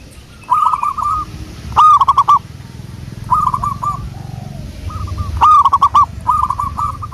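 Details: Lure recording of a local wild zebra dove: repeated phrases of quick, rolling cooing notes, some soft and some loud and close, coming about every one to two seconds against low background rumble.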